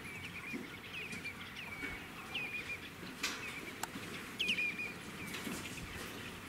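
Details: Wild common cranes, a reintroduced pair with their chick at Slimbridge wetland, England, 9 July 2017: thin, high whistled notes that rise then slide down, repeated in a loose series over steady outdoor background noise.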